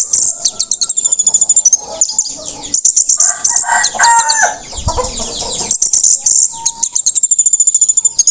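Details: Orange-headed thrush after its moult, singing in the continuous teler style: rapid, very high, twittering phrases and whistled trills repeated in quick bursts, with lower varied notes in the middle.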